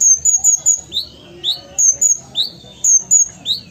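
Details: Ruby-cheeked sunbird from Sumatra singing actively: thin, very high whistled notes slurring down in quick runs of two or three, alternating with sharp upswept chips, repeated through the phrase over a faint low hum.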